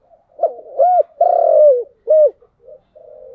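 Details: Cooing spotted dove, bronze-voice type, delivering a phrase of arched coo notes with one long drawn-out middle note sliding downward, followed by a short clipped coo and a soft trailing hum.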